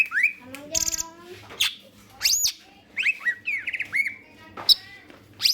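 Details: Green leafbird in full voice, used to spur other birds into song: a varied string of rising whistles, hooked squeaky notes and a brief rattle, delivered in uneven bursts at about eighty per minute.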